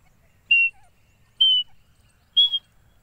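A grey francolin gives three loud, shrill whistled notes, each clipped and slightly rising, spaced about a second apart over faint background rumble.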